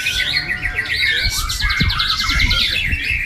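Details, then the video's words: White-rumped shama in song: rapid, varied whistled and chattering phrases with quick repeated trills, over heavy background noise and scattered low thumps. "murai batu"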